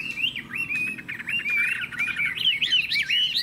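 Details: Chinese hwamei in captivity delivering a fast run of clear whistled notes, rising and falling slurs strung closely together, getting louder and higher toward the close.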